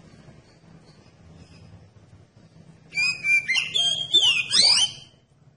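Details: Oriental magpie-robin song used to provoke other magpie-robins into singing: after three seconds of quiet, a loud burst of rich whistled notes with sharp sweeping slurs and rapid varied phrases over a faint low hum.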